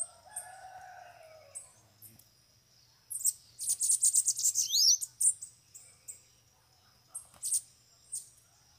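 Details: Bananaquits around a cage where several free birds have arrived: lower descending whistles at first, then a dense high buzzy trill with an upward sweep, followed by scattered sharp chips.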